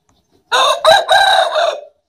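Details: Aseel rooster or black bantam rooster crowing in a crowing competition: a short hoarse crow of about one and a half seconds, broken into three harsh rising-then-falling segments, rich in harmonics, against a quiet background.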